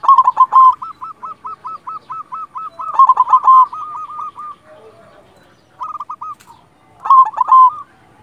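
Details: Silver zebra dove, local bird in full song for luring other doves, pours out long fast series of crisp hooked coos, about two per second, punctuated by louder rolling trills and a brief pause.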